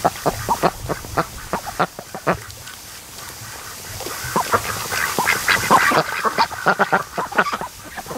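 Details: Ducks relaxing at a lake in the afternoon sun near where a creek enters; sharp, clipped quacks repeat in quick succession, roughly four per second, with softer calls in a quieter middle stretch.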